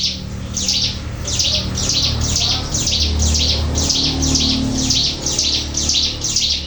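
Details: Sunda warbler, the Javanese ciblek gunung, used as a lure. Bright, buzzy high chirps repeat steadily about twice a second over a low constant hum.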